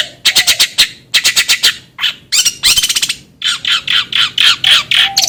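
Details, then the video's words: Long-tailed shrike song recorded as a master for training birds: harsh squawking notes in rapid groups of four to six, a fast rattle, then evenly spaced rasping calls. "suara masteran BURUNG CENDet /pentet agar cepat gacor"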